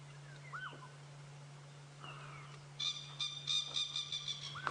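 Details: On a hot sunrise safari drive at about 7 AM on 22 October 2016 at Djuma Game Reserve, a Coqui francolin gives ringing, harmonic calls in quick repeated pulses, with fainter curved notes before them, over a vehicle's low engine hum.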